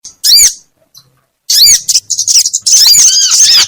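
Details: Small birds in a combined lure recording for trapping: loud, bright chirps and arched squeaky notes in three bursts, the last a rapid chattering run of high twittering.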